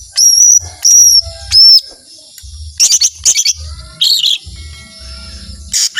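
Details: Lesser green leafbird singing: three clear, high whistled notes spaced about half a second apart, a pause, then scratchy chirps and a brief buzzy burst, with a soft low hum underneath.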